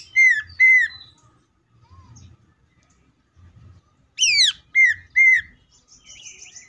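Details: Greater green leafbird singing tembakan: two loud down-slurred whistles, a quiet gap, then a steep descending sweep followed by two more clear falling whistles and a high buzzy trill at the end.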